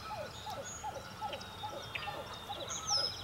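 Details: Sandhill crane calling at a cloudy sunrise in a marsh: a run of short, rolling, down-slurred notes, about three per second. Other marsh birds add buzzy trills and high whistles behind it.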